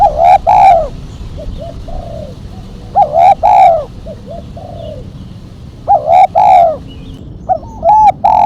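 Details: Spotted dove calling in the sharp 'mercik kuk 1' style. Rounded, hooting coos repeat in phrases several seconds apart, each led by a crackling click, with softer short coos in between.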